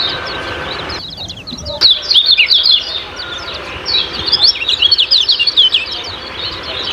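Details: Lemon-bellied white-eye, the 'ciak-ciak' style, sung to stir caged birds into song: rapid, high, thin twittering chirps in dense bursts, with a short quieter break near the start.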